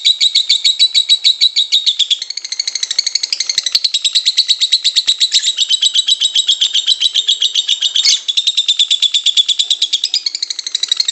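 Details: Long 'konslet' song of a lovebird, meant to provoke stuck or young lovebirds into singing; unbroken stream of rapid, scratchy high chirps that shifts pitch a little, with a brief sharp break midway.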